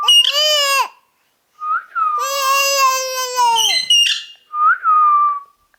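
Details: A talking ring-necked parakeet gives a rich nasal word, a long drawn-out speech-like phrase, sharp clipped syllables, and a clear whistle that rises and then slides down.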